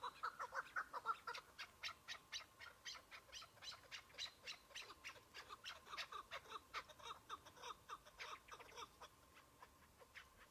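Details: In spring with patches of snow, a lone Chukar partridge during a hunt utters a run of mid-pitched clucks that quickly turn into fast, harsh, clicking chatter, roughly two notes per second.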